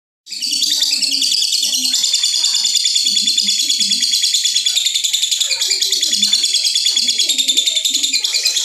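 A lovebird pours out a long, unbroken stream of shrill, rapid chattering notes.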